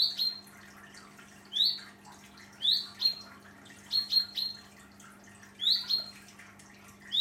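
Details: Young common chaffinch fledgling in Germany looking for its parents: loud sharp rising chirps, singly or in quick pairs, about every second or so, over a faint steady hum.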